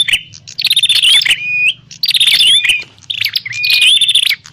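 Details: Prinia call for trapping lure: three loud clusters of dense chirps with rising and level whistled notes, about one every 1.5 seconds, over a quiet low hum.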